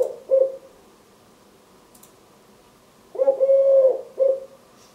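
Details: A 3-year-old male Eurasian collared dove, wing-tapping, sings his "please lay eggs" song: a soft, hollow three-part coo of a short note, a long drawn middle note and a short ending, over quiet background hiss.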